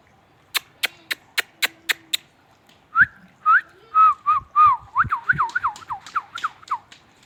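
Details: Sharp regular clicks come first, then a ringneck parrot breaks into whistled notes that grow quicker, turning into a rapid string of swooping, looping whistles.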